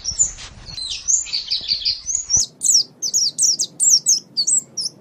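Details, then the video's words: White-eye song meant for training caged birds at morning or evening: a sustained high warbled phrase, then a string of separate sharp falling chirps about every third of a second. "Masteran Terbaik Pleci Mata Putih"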